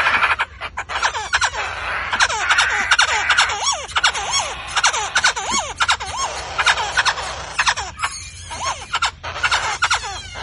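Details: Black-throated laughingthrush, a rare white-eyed individual from Vietnam, singing while dancing: loud looping whistled notes that swoop up and down in quick succession, mixed with harsh rattling bursts and short gaps.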